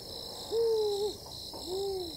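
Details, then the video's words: Two wild spotted eagle-owls exchanging calls close to camp in Tembe Elephant Park, KwaZulu-Natal, South Africa, in July 2019: a clear, level mid-pitched hoot followed after a short gap by a slightly lower, arched answering hoot, with a constant shrill background hum. "Spotted Eagle-Owls calling"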